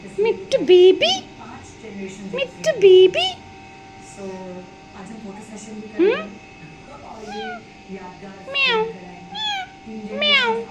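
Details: Pet green parrot with blue eyes, described as angry, saying some words indoors; a series of harmonic, meow-like calls sweeping up and down, some sharply rising, with a person talking and background music.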